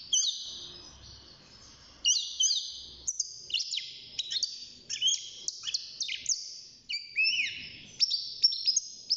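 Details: Six-month-old European goldfinch kept in a cage, starting out as a singer, delivers liquid twittering song of quick descending and rising whistled notes mixed with short buzzy trills, in bursts separated by brief pauses.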